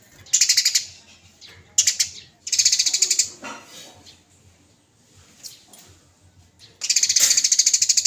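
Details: Small cage bird in a masteran recording selected by judges, lively fighting style: repeated loud, grating, rapidly pulsed high trills, four long bursts separated by short pauses, with faint murmurs between.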